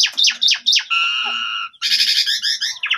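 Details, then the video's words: Asian pied starling (jalak suren pundung) lure track, recorded on a phone, to trigger singing: quick descending whistled notes, then a sustained harmonic tone and a loud rasping chatter ending in a rising whistle. "Pancingan Jalak Suren Pundung Pasti Langsung Gacor"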